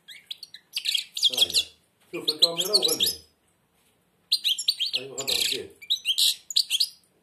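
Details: European goldfinch, blind, singing indoors with beak almost shut: dense bursts of fast twittering and buzzy trills, a man's coaxing voice overlapping in the middle and later phrases.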